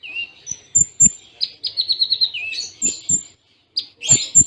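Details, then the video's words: Kolibri ninja (konin), Cililin tembaan style tutor song: varied high twittering, a short falling series of chirps and thin whistled notes, with several dull clicks throughout. "Masteran Konin Full Tembaan Cililin Jeda Rapat"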